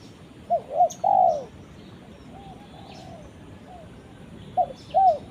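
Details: A spotted dove calls to its companion with two quick low coos and a longer descending croo, then softer coos and a second phrase beginning near the end, over steady background hiss.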